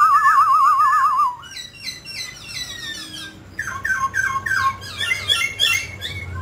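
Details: Mutant grey laughingthrush sings while dancing: a steady, rapidly wavering trilled whistle, followed by dense bursts of quick chattering, slurred whistled notes rising and falling.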